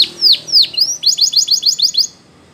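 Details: Training song from a Belgian canary for preschool canaries: a few bright downslurred whistles, then a quick run of about eight crisp repeated chips before the song stops.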